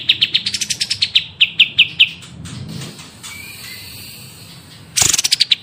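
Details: Songbird singing prolifically for a birdsong training recording: a rapid run of high chirps slowing into separate descending notes, a quieter stretch, then a sudden harsh buzzy burst followed by more quick chirps.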